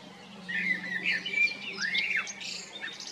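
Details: Male common blackbird in Zagreb, Croatia, at Jarun or Prečko, spring 2022: soft flute-like whistled phrases with a quick downward-then-upward slurred note, followed by faint high twittering; a low steady hum runs underneath.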